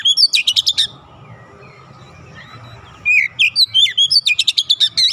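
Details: Oriental magpie-robin in training, giving quick series of sharp repeated chips and whistled notes, a burst at the start and a longer run after a quiet pause.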